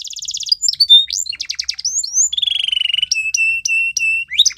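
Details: Belgian canary singing a training song: rapid high trill opens, then sweeping whistles, a long rolling buzzy tour and a series of clear repeated flat whistled notes, delivered continuously.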